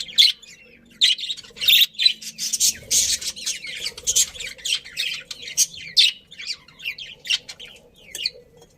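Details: Colony of budgerigars chirping happily: harsh little squawks and high chirps in clusters, louder at first then thinning out into sparse, separate notes.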